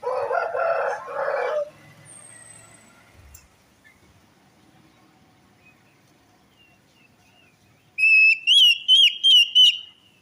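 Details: A rough, buzzy burst opens, then after a long quiet stretch an orange-headed thrush lure phrase follows, meant to make a silent or stressed bird sing: five rapid wavering whistled notes in quick succession.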